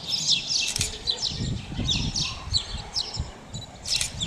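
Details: Spotless starling giving repeated sharp, clicky chirps and short buzzy notes in quick irregular bursts, a louder squeal near the end, set against muffled low thumps and background noise.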